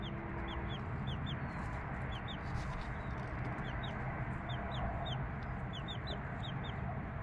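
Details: Chicks aged three days beside a mother hen give many short, downward-sliding high peeps, often in pairs and quick runs throughout, over a loud, continuous low rumbling background.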